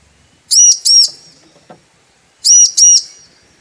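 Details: Female Bar-winged prinia calling for the male, a lure to make him sing: two high, sharp doubled chirps, each pair of arched notes quickly delivered, spaced two seconds apart, with a faint click between them.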